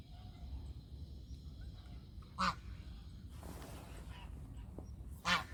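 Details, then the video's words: Domestic goose calling: two loud, harsh, nasal honks about three seconds apart, each short and broadband, over a low steady rumble of background noise. "The sounds of Country goose call is relaxing"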